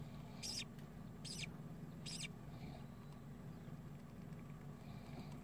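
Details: Three short scratchy squeaks from newly hatched budgerigar chicks, each under a quarter second and spaced under a second apart, then quiet background hum.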